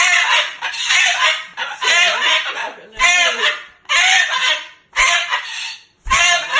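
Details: Moluccan cockatoo, angry and cursing at its owner for sleeping over, talking loudly in harsh, raspy bursts of about a second each, separated by short pauses.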